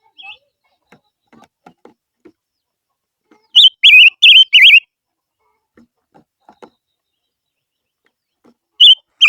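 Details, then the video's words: Silver-eared mesia lure song: a brief burst of three loud wavering whistles midway, then a short whistled start at the end, with faint clicks and taps between in a quiet setting. "Chim ngũ sắc mồi hót hay// chim ngũ sắc hót kêu mồi chuẩn"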